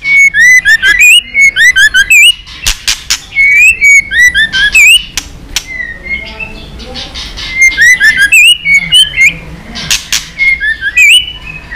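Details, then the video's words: Fired-up White-rumped shama singing many varied phrases: rapid series of loud clear whistles, downward slurs and quick V-shaped notes, several per second, mixed with sharp clicks and brief pauses between bursts. "kích lửa cho chòe lửa căng lửa. chòe lửa tạch đập liên tục."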